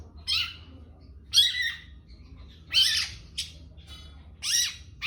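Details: Long-tailed shrike in trotol style: loud, separate harsh squawks, each a grating downward-bending rasp, spaced roughly one to one and a half seconds apart against a quiet background.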